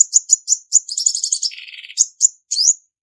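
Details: Female Olive-backed Sunbird, song used to provoke males, noise-free: quick high chirps run into a fast trill, then a dry buzzy rattle, finishing with three bright rising notes.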